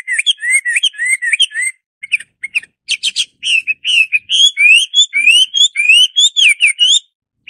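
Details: Song of the Hwamei (Garrulax canorus): a long, varied flow of bright whistled notes, brisk twittering runs, a brief pause, then steadily rising slurred whistles repeated quickly to the end.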